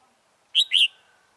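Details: Red-whiskered bulbul, 'Mí lửa' type, heard while trapping wild birds on 28 February 2017, gives a quick, loud double note: a sharp chirp, then a fuller slurred syllable, over quiet background.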